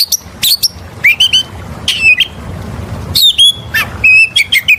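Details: Oriental magpie-robin song, played to lure other birds: scattered bursts of sharp squeaky notes and short whistles with falling and rising inflections, separated by brief pauses.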